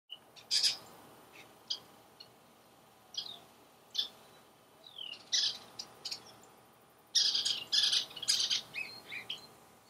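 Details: Several western kingbirds mobbing a great horned owl in July 2015, near a water tank: sharp, high chattering bursts and squeaky chips come in irregular clusters, swelling into a dense, excited twittering toward the end.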